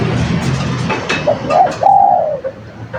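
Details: Spotted dove in lively song, used as a lure: a couple of clipped coos followed by one drawn-out, slightly wavering coo that fades, with faint clicks and low rumble behind.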